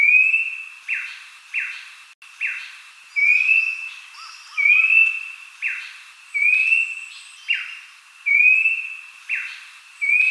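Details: Lure recording of Abbott's babbler for encouraging captive birds to sing: clear upslurred whistles paired with quick falling notes, repeated in an even cycle of about two seconds, in a clean recording free of background noise.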